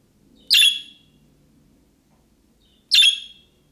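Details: Budgerigar making calls like a young bird calling out, which other budgerigars answer; two loud, scratchy chirps about two and a half seconds apart over a faint low hum.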